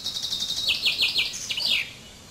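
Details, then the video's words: Common chaffinch song: a quick run of high repeated notes falling step by step into lower, stronger phrases, finished by a rising-then-falling terminal flourish. Quiet hiss lingers after. "Canto del Pinzón Común"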